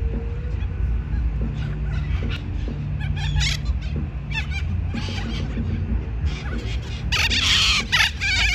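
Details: Little corellas recorded on 24 January give harsh, rasping screeches in scattered bursts, loudest toward the end, over a steady low rumble.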